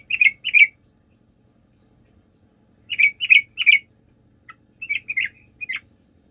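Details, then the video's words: Sooty-headed bulbul singing actively in a lure recording that aims to make other birds respond. Short groups of two or three rich, bubbly chirps come with pauses, ending in a looser run of notes. "PANCINGAN TRUCUK GACOR, TRUCUK MANAPUN DIJAMIN LANGSUNG NYAUT"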